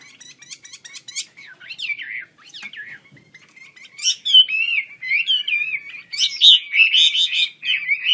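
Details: Chinese hwamei, wambi kembang type, singing eagerly and opening its wings: it starts with sharp ticking notes and twisting whistles, then bursts into loud, rapid, varied warbling phrases.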